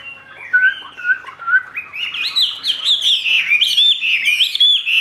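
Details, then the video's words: A caged Chinese hwamei sings in the style called "ngũ trường": a few low, clear whistles build into a loud, dense, rising and falling warble with sharp high notes overhead. "HM 673 NGŨ TRƯỜNG ,XÒE CỨNG"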